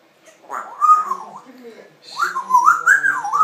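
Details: Female pet African grey parrot chattering indoors, giving two bursts of whistled, warbling speech-like phrases that rise and dip in pitch, with a brief pause between them.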